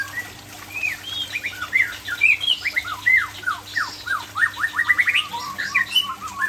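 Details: Murai Aceh, the Aceh form of the white-rumped shama, delivering a rich stream of clear whistled notes, many rising or falling swiftly, packed into rapid phrases and bursts over a faint constant electrical hum.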